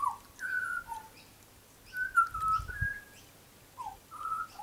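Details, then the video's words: Young butcherbird, tame and a frequent garden visitor, its plumage still a lighter black than an adult's, sings clear flute-like whistled phrases, some gliding and some held, in short bursts separated by pauses, with a soft low thump partway through. "Young Butcher Bird is singing a song"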